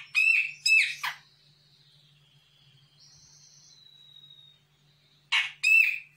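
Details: Sumatran grey-cheeked bulbul, an untrained young bird, answering a lure: two loud nasal harsh notes, a long faint thin whistle drifting between, then two more harsh nasal notes.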